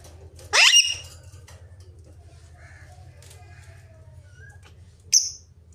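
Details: Ringneck parakeet lets out one long, rasping, upward-sweeping screech near the start. A quiet stretch with soft faint chirps follows, then a short, sharp high squeak near the end over a low hum.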